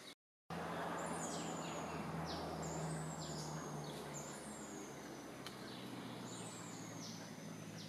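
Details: Large Woodshrike (Tephrodornis virgatus verneyi) at Baan Maka Nature Lodge, Thailand, on 20 September 2024 giving high, thin downslurred notes, repeated about once a second, over a steady low engine hum.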